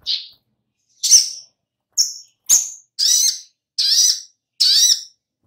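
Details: Oriental magpie-robin song used as a lure to get birds singing: a series of short, bright, harsh chirps and warbled notes, repeated roughly every three-quarters of a second with silent gaps.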